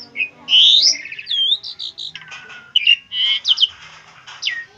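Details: Asian pied starling singing, meant for tutoring other birds: squealing rising whistles, harsh grating notes and sharp chirps in a varied, irregular sequence.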